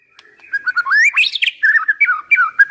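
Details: White-rumped shama used as a decoy bird, singing a fluid run of clear whistled notes that rise and fall, sliding upward to a bright peak, then dropping into short warbled phrases.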